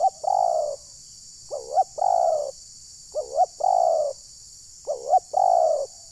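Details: Loud, close decoy spotted dove at a trapping site in Desa Satu Ujung Batu, Rokan Hulu, whose call reportedly makes wild birds furious. Four phrases, each a wavering double note then a sustained, slightly falling coo, roughly every 1.5 seconds.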